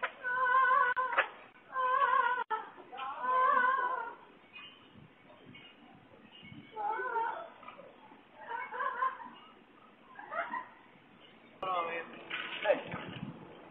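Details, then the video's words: Pet parrot, 40 years old, on an outside perch in Lake Worth Beach, Florida, mimicking a woman's cries for help: a series of loud, harmonic, voice-like wails and shrieks of uneven length, some wavering, with brief quiet gaps between them. "Florida Parrot Screaming For Help"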